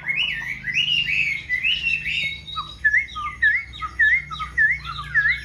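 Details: Chinese hwamei in a cage, freshly moulted, delivering fluid whistled phrases that settle into a series of rising-and-falling slurred notes repeated about twice per second.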